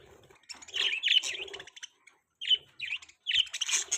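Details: Budgies chirp and chatter: a buzzy run of notes, a short pause, then three separate bright chirps, and a final burst of rasping calls.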